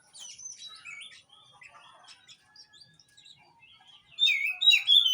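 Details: Oriental magpie-robin singing, used to spur a bird that has stopped singing: soft, scratchy twitters and brief whistles, then a sudden loud run of rich, ringing whistled phrases at the end.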